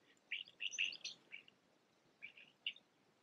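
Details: Blue jays in a backyard feeding on peanuts from a wreath; a run of short bright chirpy notes, several quick calls clustered at first, then a pause and two or three more, over faint background hiss.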